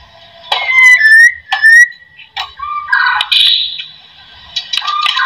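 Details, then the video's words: Song of a white-rumped shama, played to make lazy shamas sing: loud descending whistles broken by sharp clicks, then a rough buzzy phrase and a few softer whistled notes. "AMPUH buat pancingan murai"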